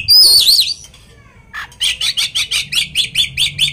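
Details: Oriental magpie-robin singing to provoke another magpie-robin: a loud wavering whistle opens, followed after a pause by a rapid, steady series of about a dozen buzzy repeated notes.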